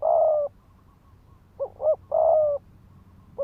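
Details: Decoy spotted dove cooing in the rapid thúc gù style to rouse wild males to fight: a long level coo, a pause, then two short clipped notes, another long coo and a final short note, over a quiet low hum.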